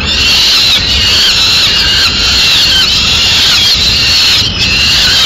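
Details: Peregrine falcon chicks and male at a Madrid nest during a feed of a swift. High squealing wails continue almost unbroken, wavering slightly in pitch, with one short dip near the end.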